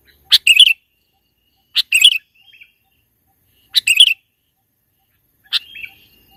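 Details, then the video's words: Sooty-headed bulbul recorded in the mountains as a trapping lure, singing very actively: short bubbly warbled phrases of clipped chirps, repeated roughly every one and a half to two seconds, with faint soft whistles between them. "mikat burung KUTILANG di pegunungan super GACOR bikin suara lawan tertekan"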